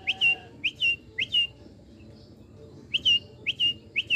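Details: Wild prinias breeding in a village backyard garden in Klaten, Indonesia, in the morning. One gives short, sharp rising whistled notes, each followed by a brief buzzy trill, in quick pairs with a pause midway; faint background hum.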